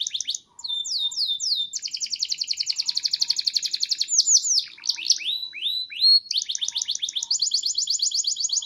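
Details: Canary from a collection in Petarukan, Pemalang, Central Java, delivering sustained song: long buzzing rolls of fast repeated notes broken by slower swooping descending phrases, then more rapid trilling.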